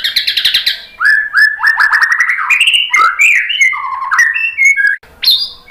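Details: White-rumped shama song used to provoke rival birds into singing. A quick stuttering series of buzzy notes leads into a long flowing run of whistled slurs that rise and fall, ending in a sharp high note.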